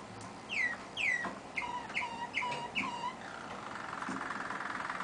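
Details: Singing Waterslager canary, one of two brothers that never sing together, heard more faintly: downward-sweeping whistled notes and short rising chips, then a soft buzzy rolling phrase, with faint background noise.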